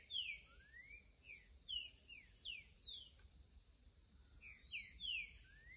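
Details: Curricutil-style song from a young green-winged saltator: quick sequences of sharp down-slurred whistled notes and a rising glide, set over continuous shrill insect-like noise.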